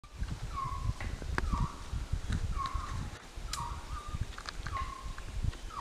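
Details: Resplendent quetzal (Pharomachrus mocinno) in the Altos de Chiapas, Mexico, giving mellow, low whistled notes that drop and hook slightly, repeated about once a second, over a steady low rumble of wind.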